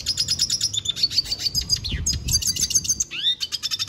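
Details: Rapid twittering song of a red siskin, bright high chips run together into trills, broken by a quick rising slurred whistle near the end.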